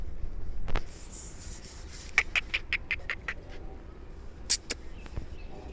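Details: Black francolin (Kala Teetar) calling in Sindh, Pakistan: a quick run of about eight harsh, clipped notes in steady rhythm midway through, preceded and followed by a few sharp clicks and knocks over low background rumble.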